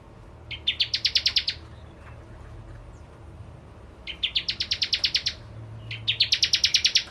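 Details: {'caption': 'A bar-winged prinia sings hard, delivering three bursts of piercing, rapidly repeated chips, each opening with rising notes and continuing as a fast, even rattle. Quiet pauses fall between bursts, with faint low background hum.'}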